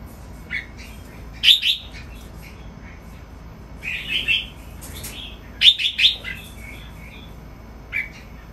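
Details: Caged Red-whiskered Bulbul breeding stock on a breeding farm in Thailand giving playful song: sparse bright whistled notes and short clusters of two or three quick phrases, separated by pauses of a second or more.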